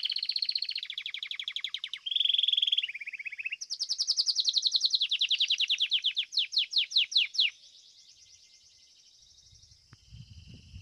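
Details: Belgian canary, a domestic bird, performing fibra-style song in a singing contest. It opens with fast high trills and a lower rolled tour, then rapid chopped notes that slow into distinct downward strokes, followed by faint trilling and a brief low rumble.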